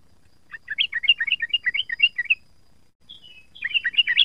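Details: Young sooty-headed bulbul learning its ropel song: a fast chattering run of about fifteen bright notes, a brief pause with a thin falling note, then another quick chattering burst.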